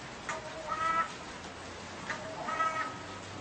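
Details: Crow giving two hoarse, drawn-out caws about one and a half seconds apart against a low background hiss, said to call seven times before turning its head side to side.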